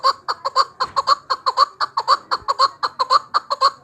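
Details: Chukar partridge, a hunting bird, giving a loud, regular chuck-chuck call, paired clucks with a slight upward inflection, repeated about twice a second.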